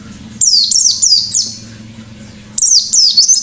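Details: In the 'ngalas' style with 'nembak' bursts, a white-eye delivers two quick runs of shrill, descending chirps separated by a pause, over a low background hum.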